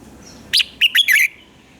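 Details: Red-whiskered bulbul in a short burst of fiery morning song kept as a lure for training: one sharp note, a pause, then three quick bright whistled notes running into a warbled ending.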